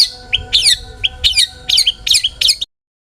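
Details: Long-tailed shrike song used to set other shrikes singing: six rapid phrases of sharp downward-slurred, slightly warbled whistles, each preceded by a short lower note, ending abruptly after under three seconds.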